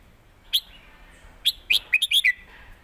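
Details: Caged red-whiskered bulbul in a Thai singing duel, southern master-style song: a short whistle, then a quick run of five bright, clipped whistled notes, some rising, some falling, over a quiet background.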